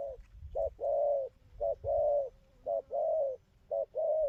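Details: Spotted dove, a fresh wild-caught bird with good cooing, gives soft hollow coos in pairs, a brief clipped note then a longer drawn-out one, repeating roughly every second against faint low background rumble.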